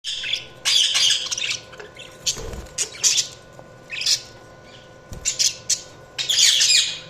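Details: Budgerigars chirping: scattered bursts of high, scratchy twittering and squawks, several short clusters separated by quieter gaps over a steady low hum.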